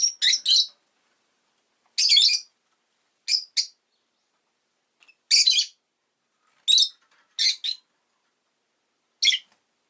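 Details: Rosy-faced lovebird kept as a pet, giving sharp, piercing, buzzy chirps in short bursts of two or three, spaced irregularly over several seconds, against a silent background.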